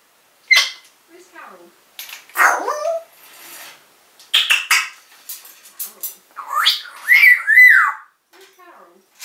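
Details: African grey parrot talking in its cage in 2012, calling out the name of its owner's mum; bursts of chattering speech-like phrases and whistled rising and falling notes over about nine seconds.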